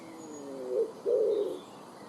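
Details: A common wood pigeon (Columba palumbus), recorded in the wild, gives a low, soft, husky coo: a short note, then a longer drawn-out one, over a faint background hiss.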